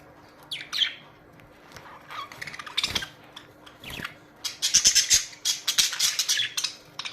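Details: Budgerigar colony, Australian parrots, with scattered harsh squawks early on, building to a dense run of high, grating chatter in the second half.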